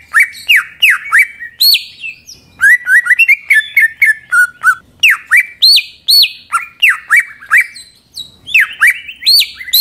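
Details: Lure song of a greater green leafbird meant to make other leafbirds sing: steeply falling whistled notes in quick series, then a run of fast twittering and warbled phrases before the sharp falling whistles return.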